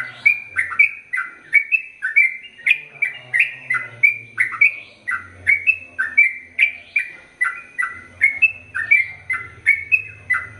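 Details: Sooty-headed bulbul singing a long continuous run of bright chirping notes, each a quick dip and rise, delivered at a brisk steady rate of roughly two per second; a soft low hum sits underneath.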